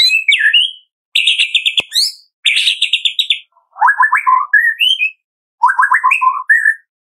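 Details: Captive white-rumped shama singing as a lure for other caged birds: rapid trilled phrases, some high and buzzy, others lower and rolling, each ending in a whistled slur, in bursts about a second long.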